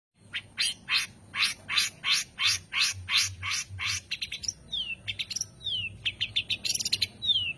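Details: Long-tailed shrike singing varied notes: a run of about a dozen evenly spaced rasping chirps, then quicker clicks and several slurred descending whistles, with a faint low hum behind.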